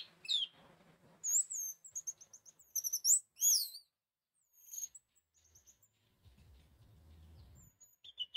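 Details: Orange-headed thrush song used to lure a silent bird into singing: varied loud, high whistled phrases and twisting slurs in short bursts separated by pauses, with a low rumble near the end.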